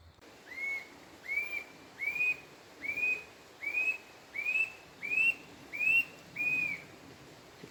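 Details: A squirrel cuckoo (Piaya cayana), known locally as alma de gato, sings on a cold, sunny early morning at a smallholding: ten clear whistled notes, each sliding up then easing down, about one every two-thirds of a second, over a quiet background.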